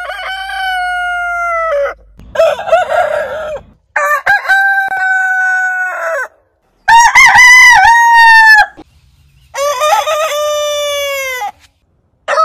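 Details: Heritage-breed roosters crowing one after another, five separate crows, each a strong, level, harmonic call lasting about one to two seconds, with short silent gaps and a brief rough, noisy stretch between the first crows.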